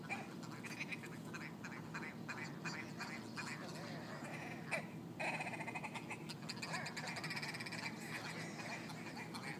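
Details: Large ptarmigan flock squabbling on a street in Yellowknife, Northwest Territories; long rapid rattling series of dry clicks, speeding into a fast ticking trill midway, over low constant rumble.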